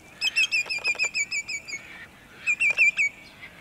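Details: At sunset in Montezuma, New York, 6 May 2019, a sandpiper gives a rapid string of about a dozen clear, ringing whistled notes, pauses briefly, then adds a shorter burst of four or five, in otherwise quiet surroundings.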